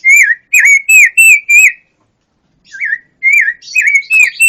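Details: Pancawarna bird heard in a song-tutoring recording: loud, clear, fluid whistled notes that swoop up and down, delivered in rapid runs of four to five, a pause, then another run ending in rougher twitters.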